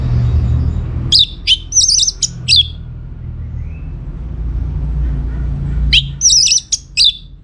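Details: Orange-headed thrush singing vigorously to make other birds answer. Two phrases of sharp, high chips mixed with quick warbled trills, separated by a pause of about three seconds, over a low droning hum.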